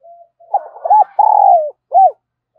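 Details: Spotted dove kept as a lure for wild doves, cooing: faint lead-in, quick broken notes, then a drawn-out descending coo and one brief arched final note, all mid-pitched and clear.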